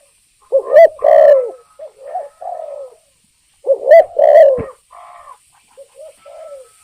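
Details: Spotted dove lure call to provoke birds; two loud coo phrases with strong accented notes, each followed by quieter trailing coos, and a faint high whistle in the background.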